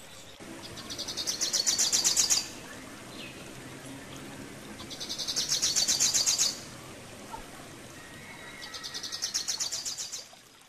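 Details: Rufous-capped warbler, Basileuterus rufifrons, singing three high, rapid chattering phrases of roughly two seconds each, spaced a few seconds apart, bright and twittering, over faint low background noise.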